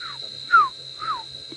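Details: African barred owlet calling in the distance at dusk around 5:30 PM on 10 April in Sabi Sand near Kruger Park, South Africa: soft whistled downslurred notes, about two per second, over nocturnal insect drone and engine hum.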